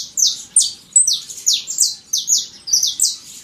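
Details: A wild saffron finch sings loudly in nature, a fast series of bright, high chirping notes, each sliding downward, about two or three per second, with little else heard.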